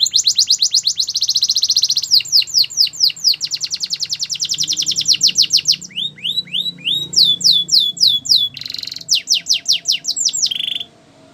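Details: Canary song for training canaries: long sequences of rapid repeated whistled sweeps shifting through several tours, a rasping burst near the end, then a short trill before stopping.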